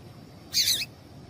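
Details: A female yellow-bellied seedeater gives one slightly drawn-out, high, squeaky note, a call meant to make the male sing, with low steady background noise.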